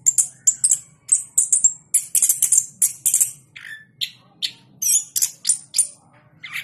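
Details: Contest-winning orange-headed thrush from Jogja, kept caged, delivering a lively 'gacor ngeplong' song of quick high chirps and short whistles in dense bursts, a few lower slurred notes between them, over a soft background hum.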